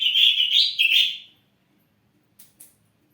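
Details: Ashy drongo, a caged bird kept to prompt other birds to sing, giving a loud run of slurred whistled notes over about one second, then silence with two faint clicks.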